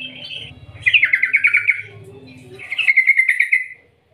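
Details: Yellow-vented bulbul giving its long rolling 'ngerol ngetir' call, meant to draw other bulbuls into song. Two quick rattling trills of bright notes, each under a second, are separated by a soft, lower murmur.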